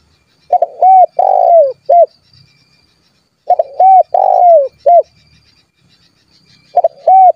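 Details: Calling spotted dove, used to call rivals into song: loud hollow coo phrases of about four notes, one long falling coo in each, repeated roughly every three seconds against silence.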